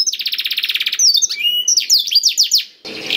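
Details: A Black-throated canary sings material meant to prompt other canaries to sing: an even, quick high trill lasting a second, then jumbled sliding whistled notes and a short harsh buzz at the end.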